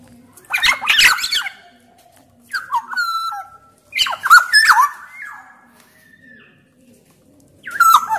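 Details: Black-naped oriole from Sumbawa, loud and vigorous, with male and female Javan orioles also present in the recording, used as a singing prompt: rough chattering bursts alternate with level fluty whistles and downward slurs.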